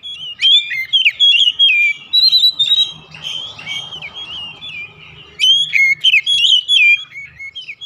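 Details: Domestic Oriental magpie-robin song used as a lure to make other birds sing: continuous high twittering of quick slurred whistles and chips in rapid bursts, several phrases a second, with faint low hum beneath.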